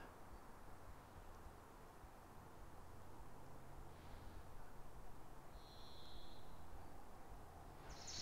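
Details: Varied Thrush singing during a walk among lupins; one sustained, flat, slightly buzzy whistled note lasting about a second follows a fainter earlier note, set against low rumbling background noise.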